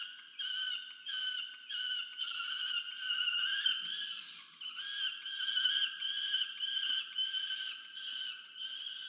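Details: Peregrine falcon chick at a nest monitored by a university research camera in Orange, New South Wales, Australia, on 13 November 2022, demanding food from its parent: loud, harsh, wailing calls with strong overtones, repeated in quick bursts almost without pause.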